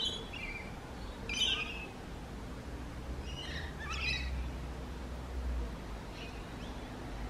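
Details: Rainbow lorikeet in urban eastern Australia: a loud grating screech followed by two softer rasping calls, high-pitched and buzzy, spread over a few seconds amid low rumbling background noise.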